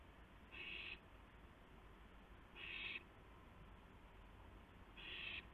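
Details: Night owl activity at 2:51 AM, April 2, 2016, during a gopher delivery from one owl to another: three short, harsh hissing screeches spaced a little over two seconds apart over a quiet background.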